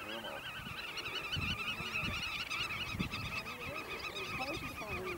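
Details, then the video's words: At Eemnes, Netherlands, on 8 April 2012, black-tailed godwits in display and mating give a continuous chorus of rapid, wobbling calls, several birds overlapping, with low murmuring and honking underneath. "black-tailed godwit display (and mating)"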